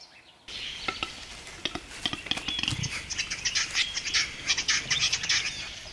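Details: Male western capercaillie at a lek in forest in Russia, 2013, singing in the morning near tents after roosting overhead: a run of dry, knocking clicks that speed up, then a scratchy, hissing grinding phrase repeated in quick bursts.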